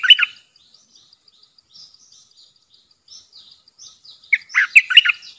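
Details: Decoy bulbul in a cage calling wild birds in, 13 April 2021: one loud, bubbling phrase, a pause filled with faint, high, ticking chirps, then a longer run of rich, warbled notes.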